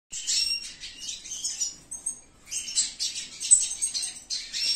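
A red siskin sings a rapid, high, scratchy twittering run of chips and trills that breaks briefly, then resumes just as busily.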